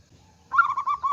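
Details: A zebra dove of a local Indonesian strain, a female calling to a male, strikes up after brief quiet with five rapid, warbled coos in a rising, insistent run.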